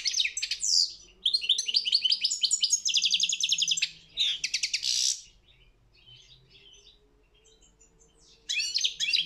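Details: European goldfinch at a world championship goldfinch song competition: lively twittering and rolling trills for about five seconds, a long quiet spell, then the song resumes near the end.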